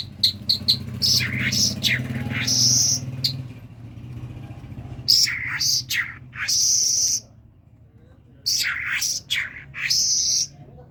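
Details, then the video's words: Common myna, a talking bird from Kerman, gives bursts of varied chirps and slurred whistles, with a pause and a quiet gap midway before more strident phrases. "طرقه سخنگو کرمانی"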